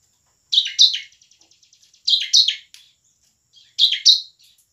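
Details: Bar-winged prinia, known locally as ciblek, delivering 'nembak' and 'ngebren' song meant to spur idle prinias into singing: paired loud buzzy downslurred notes repeated about every one and a half seconds, the first pair trailing into soft ticking.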